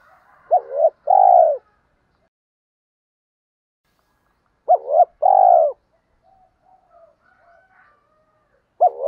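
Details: Spotted dove calls from hens and cocks, used to rouse males when training decoy birds: two low cooing phrases, a short double note then a long throaty, fading coo, followed by silence and a fresh start at the end.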